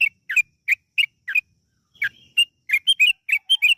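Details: Yellow-vented bulbul in long, rapid gacor ropel singing, used as a lure to get other bulbuls to sing: short bubbly whistled notes, some doubled, in quick uneven bursts, with a brief pause near the middle.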